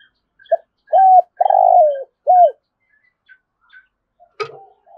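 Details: Spotted dove, thúc gù call delivered in the rolling thổ rền voice. A clipped note, an even coo, a long vibrating descending coo and a curved falling coo, then faint coos and a sharp click.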